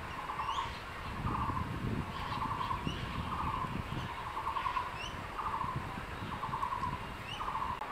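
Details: Crested goshawk male near the nest calls his mate to a lizard meal. A regular run of short, buzzy notes about every second, high thin chirps above, and low rumbling background noise.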